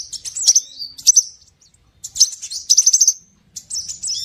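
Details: Scarlet minivet lure recording: bursts of high, thin whistled notes with quick chirps and short trills, coming in clusters separated by brief silent gaps.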